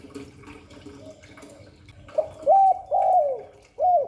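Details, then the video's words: Spotted dove cooing in the 'Hạp Bổi' style: a faint murmur, then a short sharp note, an arched coo and a long sliding-down coo, with another arched coo at the end. "Tiếng chim cu gáy Giọng Hạp Bổi 38. Đủ bài THúc GÁY GỌI - GÙ HAY Kích Bổi Nhanh Nổi, Cu đất gáy"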